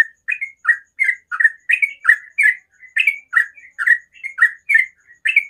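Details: A sooty-headed bulbul sings in the morning, a rapid, continuous chain of mellow bubbly chirps, some paired, with hardly a pause between them.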